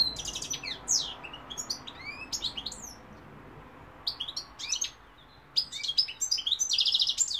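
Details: Singing European goldfinch delivering several bursts of fast high twitters, upward-swept whistles and a buzzy trill near the end, separated by short pauses, over faint background hum.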